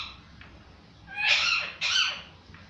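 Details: Parrot uttering two rough, scratchy squawks about half a second apart, each a broad noisy burst with a slightly falling tail, with faint hiss between them.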